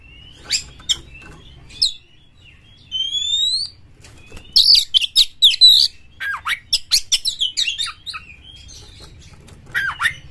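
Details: Oriental magpie-robin, an aggressive bird whose song is played so that another magpie-robin will sing more; sharp chirps, rising whistled slurs and bursts of fast, varied descending notes, with pauses between phrases, in a quiet room.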